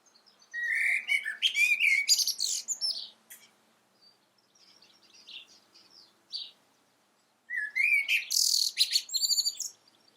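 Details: Common blackbird calling in two separate phrases, each opening with low fluty rising whistles and ending in a harsh, very high twittering flourish, with soft faint notes in the pause between.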